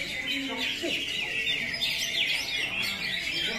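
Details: Cucak hijau, or greater green leafbird, delivering 'tembakan kapas tembak' song: a continuous stream of sharp high twitters and quick chirping bursts, with brief lower whistled notes early on.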